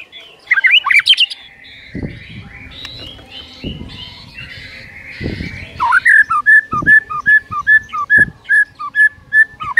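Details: Captive white-rumped shama in energetic song used to stir other shamas into singing: scratchy, buzzy warbling, then a long series of sharp, evenly spaced whistled chips, about three per second, with occasional knocks.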